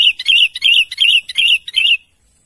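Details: Chattering sooty-headed bulbul calling its companions, a steady string of six bubbly, slurred notes of similar pitch delivered briskly over two seconds, then quiet.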